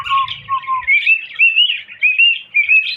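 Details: Three short, low whistles from a cockatiel, then a lively string of rising, wavering whistled phrases; a low rumble at the start.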